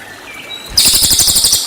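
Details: Cililin song meant for training white-rumped shama: a faint thin whistle, then an abrupt loud buzzy trill of quick pulses under a second long.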